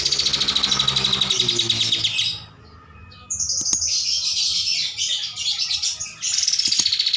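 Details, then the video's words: Kapas tembak bulbul singing a master song: rapid buzzy trill descending, a brief quiet gap, then a high rattling trill, sharp clicks and further chattering trills. "MASTERAN KAPAS TEMBAK GACOR"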